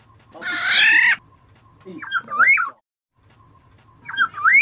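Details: Black-naped oriole (kepodang emas, Javan golden oriole) lure and tutor recording: one harsh, nasal, cat-like squawk, then two rich, fluty, rolling whistles a couple of seconds apart, over a faint steady hum.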